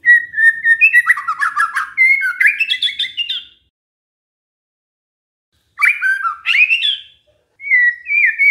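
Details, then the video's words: White-rumped shama song used to lure replies from other shamas: a long varied burst of whistles and quick chattering notes, a few seconds of silence, then more whistled phrases. "pancingan murai batu GAK PAKE LAMA, murai langsung nyaut saat dengar ini"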